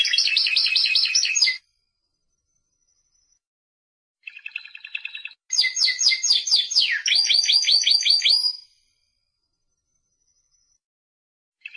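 A Timbrado canary sings bursts of rapid, rolling trills and metallic chatter, high-pitched and varied, with brief silent pauses between phrases.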